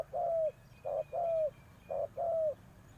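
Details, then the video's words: Captive decoy spotted dove giving its luring call: two clear coo pairs, each a brief note then a longer one that slurs down at the end, heard against quiet background hum. "chim cu mồi gáy gọi bổi"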